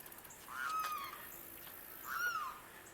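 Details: Limpkin in Florida freshwater wetlands, a very loud species: two drawn-out wailing calls, each about half a second, with a rising then slightly falling tone, separated by a gap of over a second, over steady background hiss.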